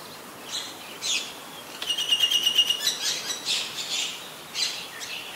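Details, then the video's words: Common myna in Ubon Ratchathani, Thailand, on 8 May 2022, giving a varied run of harsh chirps, rapid clicking notes and a bright whistled trill, with bursts of high scratchy notes around it. "นกเอี้ยงสาริกา (Common Myna)"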